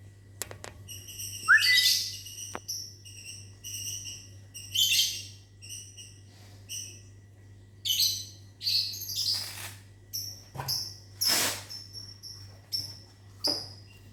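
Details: Lovebirds in a mini aviary in the morning, answering a person's whistling: short sharp high chirps repeated irregularly, a few louder harsh bursts, and a rising human whistle near the start; steady low hum throughout.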